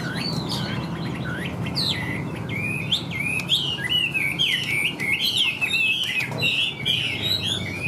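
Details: Chinese hwamei in a cage, praised for strong, even singing: loud, fluent song of rapid wavering whistles and zigzagging slurred notes, growing more intense and varied toward the end, over low steady noise.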